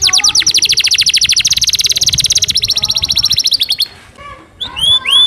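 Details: Canary singing a fast, tightly packed song tutored with Javan sparrow phrases: a rapid rattling trill of dense high notes for nearly four seconds, then a brief pause and a few clear rising whistled notes.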